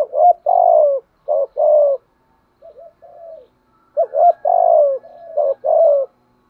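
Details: Decoy spotted dove's patterned urging coo: loud rolling phrases of short notes leading into long, drawn, gently falling coos, a soft quiet pair in the middle, then the full phrase again.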